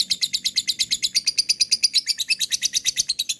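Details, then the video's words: Lovebird ngekek, a chattering song used to trigger chattering in other lovebirds: a rapid train of harsh, high chirps repeated about three times per second, steady and continuous throughout. "MP3 LOVEBIRD ngekek, diamkan pakai pancingan ini auto ngekek"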